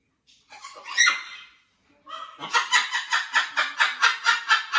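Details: Blue-and-yellow macaw joining a new flock at a parrot sanctuary: one drawn-out harsh cry, a brief pause, then a rapid series of about a dozen evenly spaced scratchy notes.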